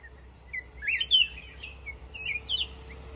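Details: Black-crested bulbul singing: short bright whistled notes, then a burst of quick warbled, slurred phrases after a pause, with a faint steady hum in the background.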